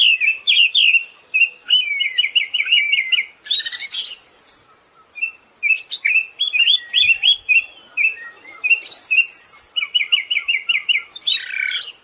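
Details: Siberian thrush in full, nearly continuous song: rattling runs of repeated whistled notes, fast chattering trills, high sharp squeaks and a shrill buzzy burst, with only brief pauses between phrases.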